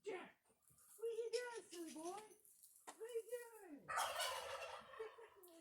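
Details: On a farm near a coop, a turkey answers with a run of quick, wavering, nasal notes, then a loud, rattling gobble burst; a few voices and farmyard noise are faintly heard.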